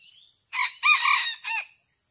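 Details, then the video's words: Wild Red junglefowl in Sumatra, Indonesia, drawn in by hunters' trapping, recorded on a phone: a loud three-part crow, a short opening note, a longer drawn-out middle phrase, then a brief closing note, over a steady high insect buzz. "AYAM HUTAN MERAH SUMATRA || mikat ayam hutan datang ORI yang kebingungan"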